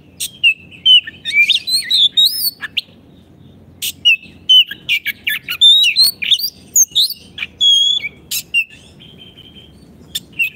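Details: Oriental magpie-robin, a caged bird, singing for use as a master song to train caged birds that have stopped singing: varied whistled phrases, sliding and warbled notes mixed with sharp clicks and harsh bursts, in quick uneven bursts.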